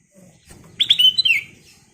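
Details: Ruby-throated bulbul (kutilang emas) gives a short, loud phrase of several chirpy whistles that run into a falling, slurred note, with faint low rumbling behind.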